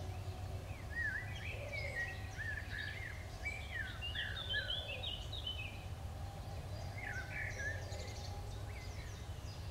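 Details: Eurasian wren chicks in the nest beg for food with a thin, high chorus of overlapping chirps and short squeaky notes, with a steady low hum underneath.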